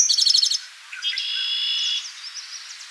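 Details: Eastern towhee at Rondeau Park in June 2013: a brief fast high trill, followed by a longer thin buzzy trilled sound at somewhat lower pitch before fading.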